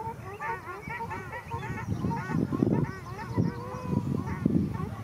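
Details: Ruddy shelducks in a fight, Arucas, Gran Canaria, February 2021: a run of nasal, arched honks in quick succession, some drawn out, over low thumping and flapping sounds.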